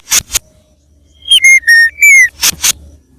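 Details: White-rumped shama song for luring birds: a short phrase of pure, level and slightly falling whistles, framed by harsh scratchy clicks before and after.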